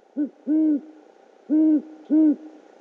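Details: At a nest camera in OKC on 12 February 2013 around 9.30 PM, a male great horned owl delivers a rodent to his mate; a short hoot followed by three long, deep, even hoots over faint hum.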